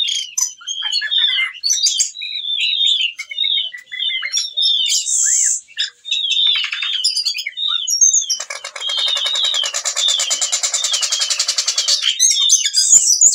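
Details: Whistling thrush singing steadily while in breeding condition and calling a female, used to train young birds: long runs of repeated whistled slurs, a dense buzzy rattle with sweeping notes over it in the middle, then more whistles.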